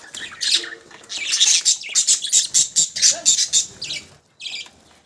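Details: A budgie gives a fast run of bright, high chirps, about four a second, scratchy at the start, then fading, with a last short chirp after a brief gap.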